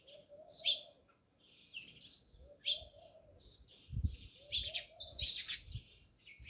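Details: Several house sparrows by a village house in Jamnagar give scattered sharp chirps about once a second, alongside a soft low cooing and occasional low thumps.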